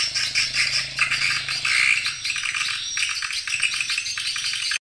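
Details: Calling sound for luring edible-nest swiftlets: rapid, rattling, high-pitched chirps in a steady chatter, with a thin whistled tone threading through and faint low hum early on.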